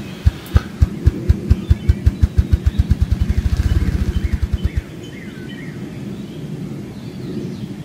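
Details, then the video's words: A ruffed grouse drumming on a drumming log: deep, low thumps that start slow and speed up into a rapid whirring roll lasting about five seconds, then faint birdsong in the background. "Ruffed Grouse Drumming on a Drumming Log"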